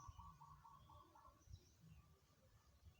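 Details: Zebra dove song, faint: a quick run of soft, evenly spaced cooing notes, then quiet with low background rumble.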